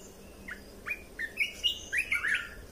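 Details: Red-whiskered bulbul song used to train young birds and excite birds: a run of short whistled, slurred notes, first spaced about every 0.4 seconds, then tumbling faster into bright warbled phrases, over a quiet background hiss.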